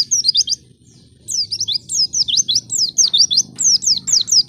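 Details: White-eye lure song to stimulate untrained birds into singing: quick, high-pitched, sharply slurred chirps in a lively, almost continuous chatter after a brief pause, with low background murmur.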